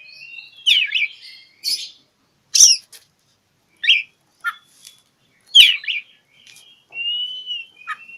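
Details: Oriental magpie-robin (kacer) song for luring mute birds into singing: loud scratchy warbled bursts and sharp chips, ending with a long thin rising and falling whistle.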